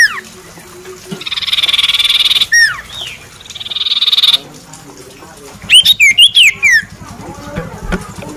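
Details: Common iora presented as a stage champion, giving long buzzy trills near one pitch that alternate with sharp whistled downslurs and a quick run of five loud clipped notes near the end, over faint background noise.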